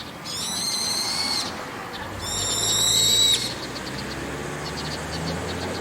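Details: Two loud, grating screeches about a second apart come from a brown-eared bulbul sitting on a roof in the evening, each steady and harmonically rich, followed by quieter faint rasps and low background hum.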